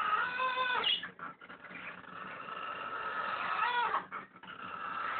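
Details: A pet blue-and-yellow (blue and gold) macaw snoring at night, a steady nasal, wheezy drone broken by two louder grating, rasping notes about three seconds apart.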